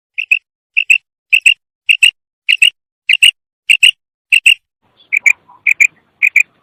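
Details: Female common quail calling kirk: crisp, high double notes, each pair sharp and clipped, repeated about every half second in a clean, quiet setting.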